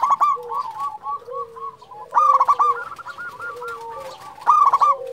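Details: Local zebra dove, champion-class and calling often, gives three bursts of rapid staccato cooing at the start, middle and end, over a bed of gentler, lower dove coos.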